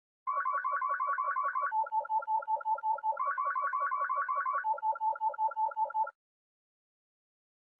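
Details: Synthetic musical tones play in steady repeated blocks, alternating between a higher pulsing pattern and a lower run of notes, then stop abruptly, with no animal voice heard.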